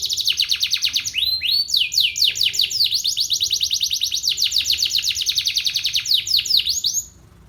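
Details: Canary in full song during its morning sunning, dense bright trills and rolling chatter repeated rapidly, with a few swooping notes, ending abruptly in quiet.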